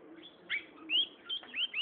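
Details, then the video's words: A young Gray Seedeater, a strong singer, gives four quick, bright, upslurred whistled notes in under two seconds over a faint low hum. "pico de plata pollero cantando"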